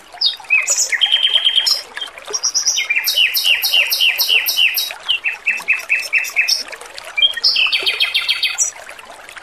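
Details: Male red-billed leiothrix singing in a training recording, with background water. Rapid series of loud, bright, repeated slurred notes in quick rhythmic runs, broken by buzzy chatter and high ringing trills.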